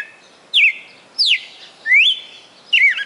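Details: Caged red-cowled cardinal in Fortaleza, Ceará, Brazil, kept roughly four months, delivers loud clear whistled notes that sweep sharply down or up, four phrases about every 0.7 seconds against a quiet background.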